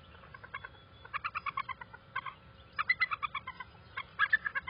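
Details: Bald eagle pair at the nest on an early morning visit, 4 November 2020. Rapid, staccato chittering notes come in quick bursts, with a steady low background rumble.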